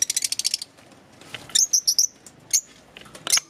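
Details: Several green Fischer's lovebirds: a fast series of high ticking chirps, then a pause, then shrill squeaky notes in quick pairs and single bursts.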